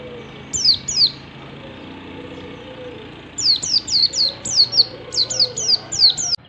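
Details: Oriental white-eye (yellow-breasted) in the wild at morning, used to prompt idle white-eyes into song: two sharp descending high chirps, a pause, then a rapid run of about ten similar downslurred whistles; low steady hum behind.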